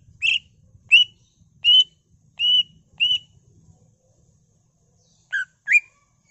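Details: Greater green leafbird song with imitated fills: five clear upslurred whistles at a steady, unhurried pace, a pause, then two lower swooping notes, with faint low background hum.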